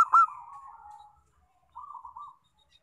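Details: Local zebra dove lure song to set other doves singing: a sharp loud note fades into a drawn-out descending coo, then after a gap a softer bubbling rolled coo.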